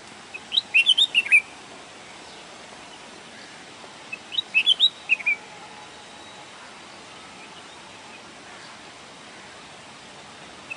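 Two quick bursts of bright, chattering bulbul notes, about four seconds apart, over a steady background hiss.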